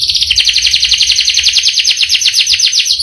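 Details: Caged canary delivering a long rolling song, a dense fast trill of buzzy descending notes repeated steadily throughout, with a faint low hum underneath.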